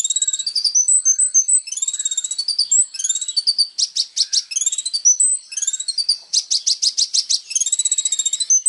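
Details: Kolibri ninja sunbird singing actively, used as training material for songbirds: high, rapid song of thin whistled slurs and sweeps mixed with fast buzzy chattering bursts, continuous and varied throughout.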